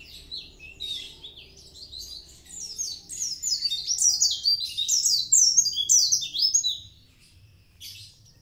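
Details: Mountain white-eye from Kintamani, a lively high song of rapid sweet twittering and descending whistled slurs, phrases running densely from about the second second to the seventh, then fading to quiet with faint low background hum.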